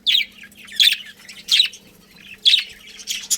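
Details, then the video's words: Budgerigar colony chirping: scratchy, high chattering chirps in bursts roughly every half to one second, some warbled squawky notes between, with a faint low hum underneath. "Cute Budgies Chirping Sounds"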